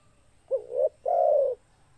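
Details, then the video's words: Zebra dove (tekukur) song phrase: a brief upswept note, a quick trilled middle, then a sustained rolling coo lasting about half a second; calm background without other callers. "SUARA TEKUKUR GACOR"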